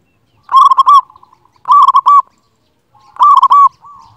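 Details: Local zebra dove, strong-voiced, giving master song used to stimulate quiet doves: three loud rolling phrases of rapid coos, each followed by soft fading single notes, with clean silence between.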